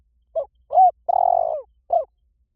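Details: Vietnamese spotted dove lure call: a single low cooing phrase with a short opening note, a rounded coo, a long pulsing coo drooping at the end, and a final short coo.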